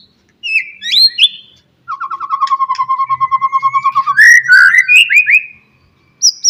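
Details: Morning song of a white-rumped shama, played to get other shamas singing: a long fast trill of repeated mellow notes, about three per second, followed by rich rising and falling whistles.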